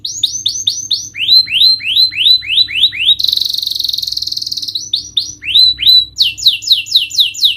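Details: Lure recording of canary song meant to coax a silent bird to sing: rhythmic series of upward-sweeping whistled notes, several per second, broken by a dense high buzzy trill, then higher rapid sweeps; faint low hum in background.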